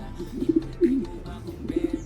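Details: Pigeon at a loft where only its eggs remain, giving short pulsed notes followed by a drawn-out, falling coo, then more pulsed notes in a quiet indoor setting.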